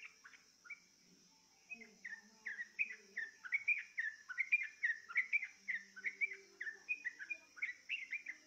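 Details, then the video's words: Yellow-vented bulbul prompted by a lure sound to join in singing: a lively run of quick, gurgling, slurred whistles repeated over and over, building after a short pause, with a constant high-pitched insect hum behind. "Dengan pancingan ini, dijamin trucukmu gak takut tapi malah ikut bunyi"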